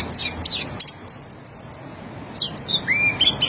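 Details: High warbled phrases from an orange-headed thrush singing in the 'gacor teler' manner, a first-place bird: sharp chips, then a string of quick stuttered notes, a pause, and varied slurred whistles, some rising.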